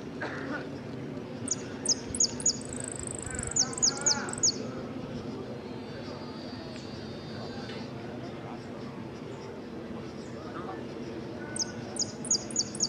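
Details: Saffron finch competing in the 'amarillo sin cierre' class, interclub cup, Ciudadela, 8 March 2014: several phrases of high down-slurred notes and a short rapid trill, with pauses between, amid background talking and murmur.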